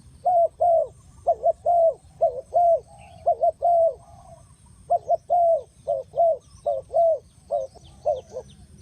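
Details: ['Lure call of a spotted dove for bird trapping: a steady string of short, hollow coos, some grouped in twos, continuing almost without a break over nine seconds.']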